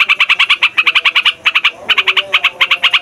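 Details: Yellow-vented Bulbul, trucukan, in lure song for wild birds: short runs of four to six bright, bubbly notes in quick succession, separated by brief pauses.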